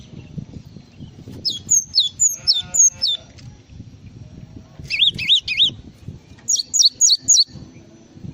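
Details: Java sparrow in full song: bursts of four or five sharp, high chirps, each slurring quickly downward, with a tighter run of notes in the middle, over a soft low rumble.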